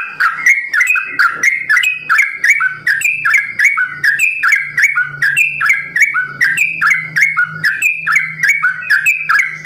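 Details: Sooty-headed bulbul, a farm-kept bird, singing a long rolling variation song in the local trucukan ropel style: rapid bubbly whistled phrases alternating between two pitches, repeated almost without pause, with a faint low hum beneath.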